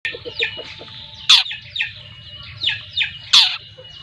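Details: Young long-tailed shrike of the trotol type from Lampung, two months old, giving scattered harsh, rasping notes about once a second, two louder broadband bursts standing out, over a low steady hum.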